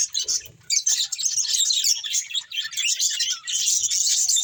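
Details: Budgies chatter in bright, scratchy high chirps that start after a brief lull and then run on without pause.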